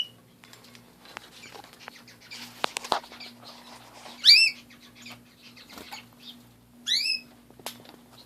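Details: Two clear upswept chirps from pet canaries sound midway and later, preceded by clattering clicks and rustling as the birds move about.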